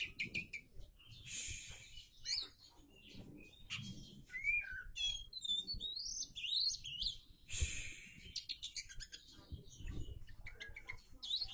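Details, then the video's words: Oriental magpie-robin singing a rich, varied song of whistled notes, rising slurs and rapid chirps, with short phrases broken by brief pauses and several loud bursts of clustered high notes; quiet low background rumble throughout. "burung kacer on isian mewah woww"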